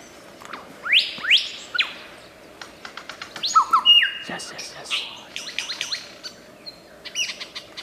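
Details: Superb lyrebird, an Australian endemic famed for copying bird calls, sings in the wild: two rising swooping whistles, then a dense run of stepped whistles, clicks and rapid chips, ending with thin high notes.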